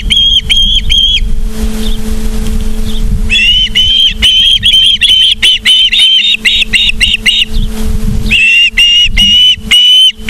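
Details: Osprey at the nest in Charlo, Montana, on 24 August 2023, 17:43: runs of shrill, piping whistles, a short lull with faint distant notes, then a long rapid series and more steady whistles, with a low hum throughout.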